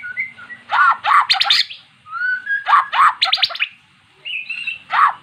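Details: Magpie-robin that never sang, now vocal after hearing recorded song of its own kind; scratchy buzzy bursts alternating with smooth whistled notes, pauses of about a second between phrases.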